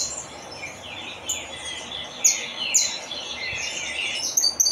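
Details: Saffron finch singing: a few bright, high, descending slurred notes, with two sharp emphatic chirps midway and quick clipped notes at the end, over a light background hiss.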